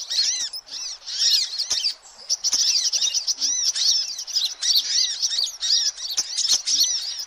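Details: Noisy sunbirds serving as a lure for all kinds of sunbirds; dense high-pitched chattering, repeated short tweets and curved notes from many birds, with a brief lull near the second mark.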